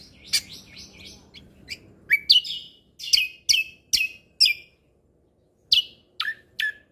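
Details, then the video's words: Actively singing lesser green leafbird, known locally as cucak kombo, giving 'tembakan' shot-style notes: a string of loud, sharp, downward-slurred whistles about every half second, then a short silence and three more. "Cucak Kombo Gacor Mentalan Pas Untuk Masteran Burung Isian Tembakan"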